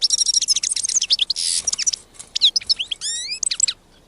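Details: Song of a wild European goldfinch: rapid jumbled twittering with a harsh buzzy note midway, then sweet rising slurred whistles, closely recorded with little other sound.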